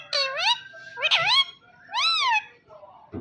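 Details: Blue ringneck talking parrot with three loud, arched, harmonic notes, each sliding up and then down, about a second apart, followed by a soft thump; a faint low hum sits in the background.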